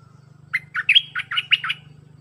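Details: Red-whiskered bulbul song in the dense 'sap dok' style, played to train hand-raised young birds: a single lively phrase of seven chirpy whistled notes over a steady low electrical hum.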